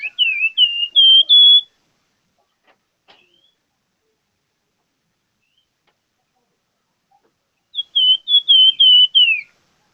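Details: Plamboyan bird in full, vigorous song (gacor), giving two bursts of bright whistled notes about six seconds apart, each burst five or six quick descending slurs, first rising slightly in pitch; near silence between with a faint click.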